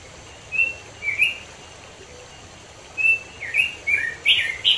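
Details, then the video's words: Lure recording of a robin singing in nature in the mountains of East Java, Indonesia: two short whistled phrases, a quiet gap of nearly two seconds, then a quicker burst of sweet, rising and dipping warbled notes. "pancingan robin macet ampuh || suara robin di alam"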